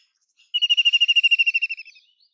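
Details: ['White-throated kingfisher giving a rapid, shrill trill of about seventeen evenly spaced notes. The notes hold a high pitch, drop slightly and fade away over just over a second. Background is quiet.']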